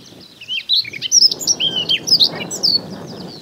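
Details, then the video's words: Wild Siberian rubythroat in a Hokkaido grassland, May–June breeding season, recorded with a Nikon Coolpix P950; a rapid, continuous run of high, clear whistled and warbled notes, swooping and jumbled, over soft low wind noise. "ノゴマの鳴き声（さえずり、地鳴き） / Siberian Rubythroat"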